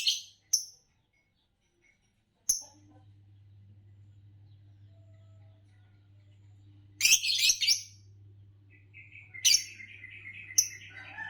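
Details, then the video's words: Green Fischer's lovebird, a kind known for long-duration songs, producing scattered short sharp high chirps and clicks, a burst of rapid rasping notes near the middle, and a warbling trill later over a faint electrical hum. "Lovebirds Chirping to Calm the Mind Therapeutic Natural Sounds - Lovebirds Chirping Sounds"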